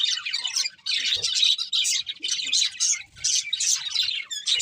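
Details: Budgerigars singing happily while feeding: choppy clusters of bright, scratchy twitters separated by brief pauses, plus a few soft low knocks.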